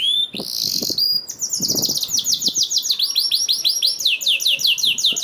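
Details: Song of a canary used to trigger other canaries into singing: a steady whistled note opens, then quick trills of hooked rising notes repeat continuously, with faint low knocks early on.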